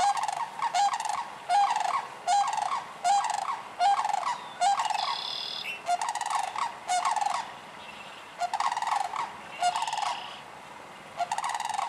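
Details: Sandhill cranes calling in Michigan during spring to early summer: harsh, rattling bugles repeated roughly once a second, some bursts overlapping, with a brief higher tone partway through.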